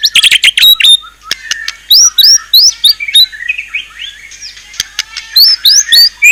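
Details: Fierce-sounding murai batu song with isian content: an opening burst of rapid trills, then spaced, ringing upslurred whistles repeated roughly three times a second, with softer warbling in between.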